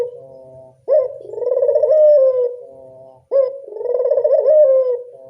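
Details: Barbary dove of a local strain calling as a lure for other doves: a clipped upward note leading into a long, vibrating, purring coo that fades slightly. It repeats about every two and a half seconds against a faint low hum.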